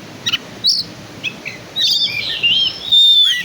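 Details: Kacer, the black-and-white Oriental magpie-robin, sounding a few short scattered chips before building into a loud, sustained whistled phrase with a long clear note that slides downward at the end.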